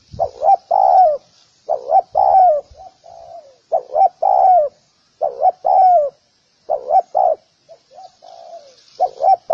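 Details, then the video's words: Spotted dove recording for training doves: low, soft cooing phrases, short rising-falling hoots in groups of two or three, repeated steadily with brief pauses. "សម្លេងសម្រាប់បង្ហាត់លលកច្បាស់ល្អ / Sound of Spotted dove"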